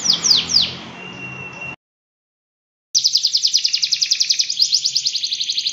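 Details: Canary giving a long song for tutoring other canaries: a few sweeping notes and a held whistle, a silent gap, then a dense fast trill of repeated high notes.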